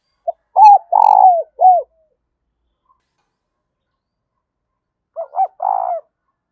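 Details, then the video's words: Spotted dove used as a lure bird, calling: a short phrase of low, mellow coos with a longer burry middle note and falling ends, repeated after a three-second pause, in an otherwise silent setting. "tiếng chim cu gáy mồi gáy gọi"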